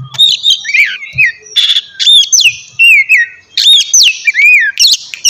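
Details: White-rumped shama morning singing for stimulating other birds: varied loud whistled phrases with sweeping slurs, sharp chirps and brief buzzy bursts, delivered in rapid rhythmic bursts.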